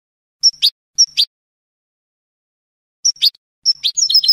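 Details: European goldfinch in Spanish salon-style song, giving short separate phrases of a thin whistle slurring into a sharp chip, spaced by silences, ending in a quick twittered start.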